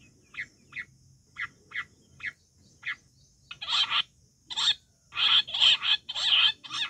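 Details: Wild quail calling, recorded for hunting: a series of short, sharp chirped notes roughly every half second, then louder, harsher broadband bursts crowding together toward the end.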